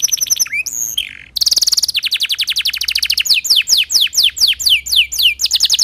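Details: Timbrado canary song for listening: brief whistles and a slurred note, then a dense rapid trill that opens into evenly spaced, sharply falling notes repeated several times a second.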